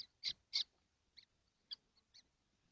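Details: Kestrels, seven in a nesting box in the heat, June 2025: two loud rasping notes, then four softer, shorter ones over a faint low hum.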